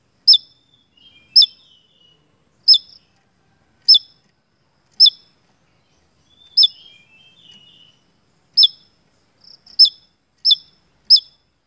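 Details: A Javan tesia in a song-lure recording for songbird keepers gives loud, sharp, high chips about once a second, with soft, lower twittering between them and no other sounds.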